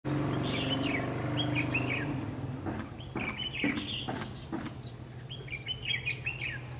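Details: Red-whiskered bulbul used as a decoy in trapping, singing to lure and fight wild birds; bright warbled phrases in bursts around the upper range, several phrases in quick succession, over a steady low engine-like hum.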